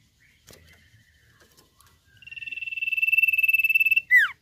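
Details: Nyiul mboh song of a Common Iora. After faint knocks, a high, rapidly pulsed trill grows louder over about two seconds, then drops away into a sharp, steeply descending whistled note.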